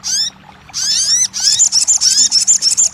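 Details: Crested jay on audio meant to make a silent caged bird sing and answer: harsh, falling, harmonic notes, then a run of quick, high, pulsed rattling notes repeated several times a second.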